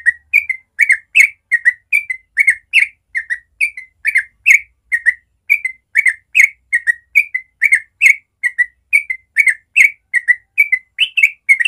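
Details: Natural morning 'ropel' song of a yellow-vented bulbul (trucukan), meant to prompt young birds to learn: an unbroken run of bright whistled double and triple notes, fast and steady for about twelve seconds, with no other sounds.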